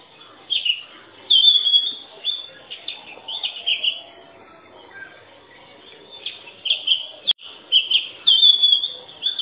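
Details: Oriental magpie-robin singing: bursts of clear whistled and warbled phrases, some rising and some falling, separated by short pauses, with bright high notes clustered near the top of the range and a brief click midway.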